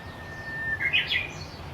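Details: Japanese bush warbler singing in a forest just outside a home, nearby but hidden: a drawn-out steady whistle breaking into a brief warbling flourish, with faint rustling background noise.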